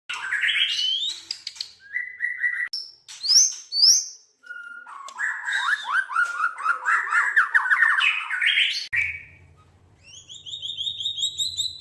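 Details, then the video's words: Song of a white-rumped shama, kept as a songbird in Indonesia: varied loud phrases of rich whistles, rapid slurred trills and sweeping notes, with pauses between bursts, ending in repeated high double-toned notes over a faint low hum. "murai batu tembakan 5 meter"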